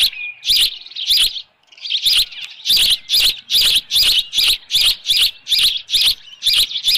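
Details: Osprey on the Dunrovin Ranch nest, headless fish present, 6:41 PM, 10 June 2018: a few shrill chirps, a brief pause, then a regular string of high, sharp whistled notes roughly twice per second.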